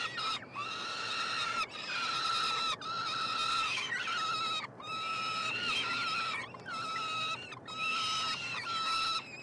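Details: Peregrine falcon triplets, hatched 26-27 May 2022, begging at a nestbox at the University of Montreal, Quebec, Canada; about eight evenly spaced, harsh, harmonic wails, each roughly a second long.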